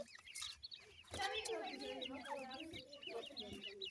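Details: Baby teetar (francolin) chicks give dense, overlapping chirps. Wavering, slurred peeps come in a continuous chatter from several birds, with quick upward-flicking notes on top and a brief thump at the start.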